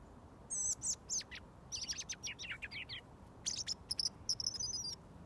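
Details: Robin singing at close range until fed mealworms: high piercing notes, a run of descending chippy trills, then bright repeated high whistles, with quiet low background noise.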